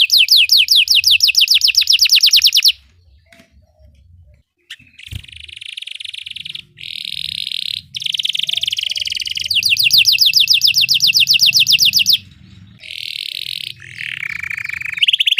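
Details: Belgian canary song for training canaries: bursts of rapid whistled trills alternating with buzzy rattles, a sharp click, and pauses between phrases.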